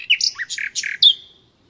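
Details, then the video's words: Short natural nightingale phrase of a few loud, rich, buzzy notes at different pitches, ending in a bright high whistle that fades out. "Doğal Bülbül Sesi Dinle"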